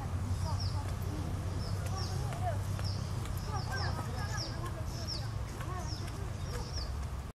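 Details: A Plumbeous Water Redstart in Khasi pine forest near Elephant Falls, Shillong, Meghalaya, on 15 September 2019, gives thin, sharp, very high notes about once a second, nearly drowned by the steady roar of rushing water.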